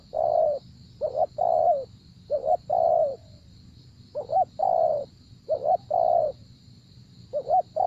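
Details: Spotted dove used in trapping, giving mellow coo phrases: a quick double note then a drawn-out coo, repeated in a loose rhythm with short pauses, with low background hum and a thin constant high tone.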